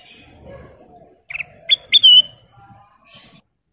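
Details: Female kutilang emas (sooty-headed bulbul) singing one short phrase: a doubled chirp, then two quick rising whistles ending in a pure fluting note, over faint low murmur.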